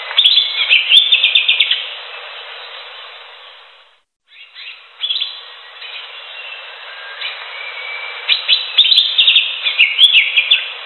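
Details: Greater green leafbird singing in the wild: quick chattering bursts of sharp chirps, a near-silent gap, scattered softer notes and a thin whistle, then another loud, rapidly repeated twittering run.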